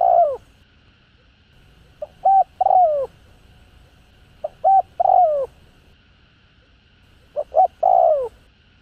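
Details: Lure coos of a spotted dove: three similar phrases roughly every two and a half seconds, each of two or three brief soft notes leading into a drawn-out downward-bending coo.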